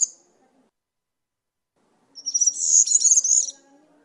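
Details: European serin: one short, bright phrase of high, tinkling, buzzy notes lasting just over a second, set against a faint low background murmur.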